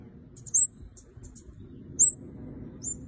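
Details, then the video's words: Red-headed kemade giving very high, thin slurred chirps with softer ticks between them, about one loud note every one and a half seconds, over a noticeable low background murmur. "Burung Kemade Kepala Merah Gacor"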